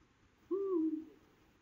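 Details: Male Eurasian eagle-owl calling for its mate in the La Safor region of Valencia, near Gandia and Oliva; a single deep, slightly falling hoot of about half a second over a quiet background.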